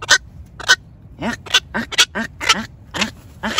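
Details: Black-crowned night heron decoy calls used to call the flock: short, harsh, croaking barks, about nine in under four seconds, some spaced apart and others in quick succession, with a quiet background.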